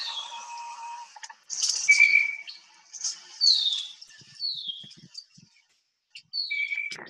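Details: Blue Jay giving one of its many varied calls, lower than usual: clear whistled notes and short, high, downward-slurred squeaks, spaced irregularly over several seconds.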